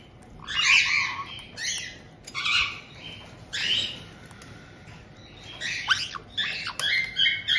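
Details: Pet white-bellied caiques, a resident pair with a new chick of about two months, in Tokachi, Hokkaido, June 2023, seemingly welcoming the newcomer. Raspy screeches in separate bursts, then sharper squeaky notes, with quiet household hum behind.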